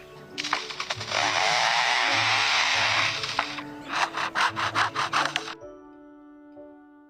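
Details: Male lyrebird in forest of southeast Australia imitating a chainsaw, as heard from foresters: a three-second harsh, revving buzz, then a run of about eight quick rasping pulses, with faint music underneath.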